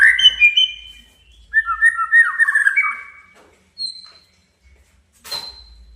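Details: Male white-rumped shama song meant to provoke a rival: rich warbled phrases with overlapping whistles, then a pause, a lone high thin whistle and a sharp click.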